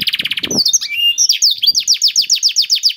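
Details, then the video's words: A canary sings to prompt others to join: a quick rattling trill, a brief knock, then thin rising whistles leading into evenly repeated downslurred notes about five per second. "KENARI GACOR CENGKOK ISTIMEWA #213 || VOICE OF CANARY"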